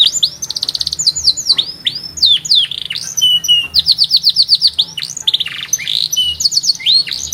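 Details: Canary in strong song with a distinctive rhythm: rapid high trills of repeated notes, then swooping downward slurs and bursts of fast buzzy rattles, in continuous phrases.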